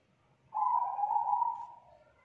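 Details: Thick-voiced, loud kuk 2 spotted dove, a young bird from the wild, holding one clear, steady low coo for about one and a half seconds before it tails off.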